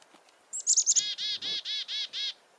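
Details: Black-capped Chickadee gives its chick-a-dee alarm call: a few high, thin chip notes followed by six harsh, buzzy 'dee' notes at an even pace.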